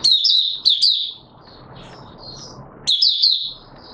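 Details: Opening song of a Mata Puteh Raja, or Oriental white-eye, 24 March 2022: two short bursts of high, sharp twittering separated by a hissy gap with faint soft notes.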